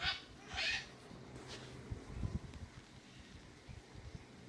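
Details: At Airlie Beach a cockatoo gives two short, rasping screeches in quick succession, followed by quiet rustling and low thumps.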